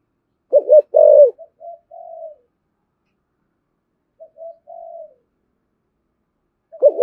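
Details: Lure cooing of a spotted dove, Thổ Sấm style, meant to provoke wild doves: bursts of quick throbbing low notes and a loud coo, then soft short coos separated by quiet gaps.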